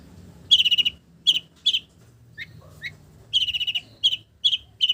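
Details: Long-tailed shrike (cendet) singing a song filled with imitations of village birds: bright rapid trills of clipped high notes in quick bursts, broken by short single chirps and brief pauses, with a faint low hum behind.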